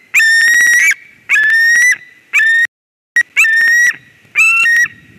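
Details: White-tailed eagle at a nest in Durbe, Latvia, on 13 August 2023, as a strange ringed eagle flies into the nest: loud, strident yelping calls in bursts of rapid notes, five series in about five seconds, with harsh clicking breaks.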